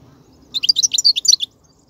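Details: European goldfinch singing wild in 2019, a motivating song for caged birds: one dense second-long phrase of rapid, tinkling, high twittered notes, rising and falling, over quiet background.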